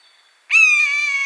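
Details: Wild buzzard in natural habitat: a long, loud mewing cry begins abruptly and holds on a level, slightly falling pitch until the recording cuts off. Clean, quiet surroundings.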